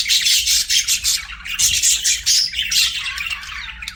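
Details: Loud, continuous budgie chirping: dense scratchy chatter punctuated by thin high whistles and quick squeaks, pulsing in short bursts.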